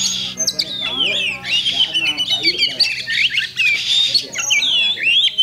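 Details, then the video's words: Caged Oriental magpie-robin singing at a bird contest on Thursday, 8 October 2020: a dense, fast run of varied whistles, sweeps and chattering notes, with low background murmur and faint voices. "Kacer Bagong Ngunci Mulai Semi"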